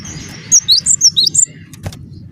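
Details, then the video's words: Cinereous tit calling to provoke other tits to reply: six bright, high whistled notes alternating up and down in quick succession, followed by a faint click against a soft steady background hum. "semua gelatik bakal NYAUT dengarkan suara ini"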